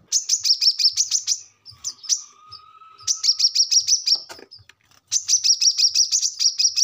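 A brown-throated sunbird sings three bursts of rapid, very high, thin chattering notes, about a dozen per burst, separated by brief pauses with faint background sounds.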